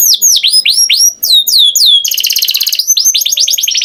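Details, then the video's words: Canary sings looping whistled swoops several per second, then a dense buzzy rolling trill, then resumes bright chirpy whistles, loud and close with no background noise. "Canary Singing Beautifully"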